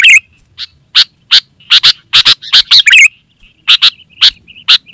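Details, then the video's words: Sooty-headed bulbul calling, used to draw in wild birds and teach caged birds: a bubbly phrase opens, followed by evenly spaced crisp chip notes, some in pairs, another burble, then more chips; faint high whine throughout. "Suara Burung KUTILANG GACOR Terbaik Untuk Panggilan dan Masteran"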